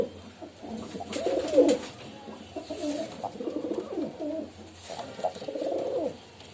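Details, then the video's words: Domestic-style pigeon coos, three drawn-out warbling phrases at a low pitch separated by short pauses, light background hiss. "Pigeon Sound"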